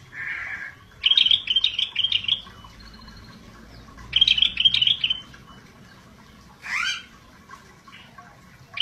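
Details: Singing scaly-breasted bulbul delivers two long, quick, bubbling trilled phrases several seconds apart, each a string of bright whistled notes, followed by a single sharp falling slurred call, in gacor style.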